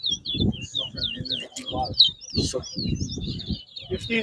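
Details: Towa towa (large-billed seed finch) singing at a bird whistling competition at Bath Settlement, Guyana, 2022. Rapid twisting high whistled notes run continuously over loud nearby human voices.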